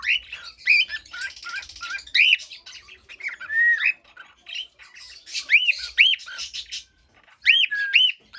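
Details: Busy cockatiel song: many arched whistles, warbling chirps and squawky chatter packed closely together, with a short pause before a final burst of looping notes.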